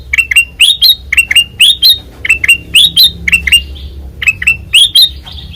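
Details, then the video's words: Loud, open-voiced song of a white-eyed kutilang emas: repeated rising chirp doublets about twice a second, slightly squawky, with one short pause before the final notes; low hum behind. "Suara Asli Ngeplong Kutilang Emas Mata Putih Gacor Dor"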